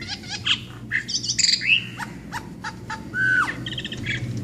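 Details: Brahminy starling singing a varied medley of chirps, clicks and short whistles. A longer, level, clear whistle comes near the end, over a low background hum.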